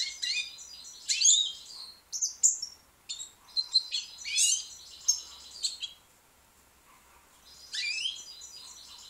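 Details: Young white British goldfinch singing, a bright twittering run of high buzzy and tinkling notes with sharp rising sweeps, broken into bursts with a short pause before a final flourish.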